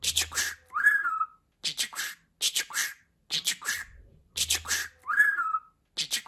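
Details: A talking pet budgerigar repeats the same phrase: a run of gritty, buzzy syllables followed by a bright falling whistle, with a faint low hum in the pauses.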